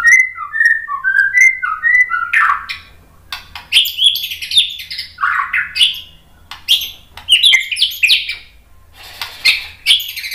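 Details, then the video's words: White-rumped shama song used to provoke other birds into singing: a run of short fluty whistles, then varied rising and falling whistled phrases with sharp, high chips in quick sequence. "MASTERAN MURAI BATU biar EMOSI NYAUT jadi GACOR BONGKAR MATERI TEMBAKAN ¦ PANCINGAN MURAI"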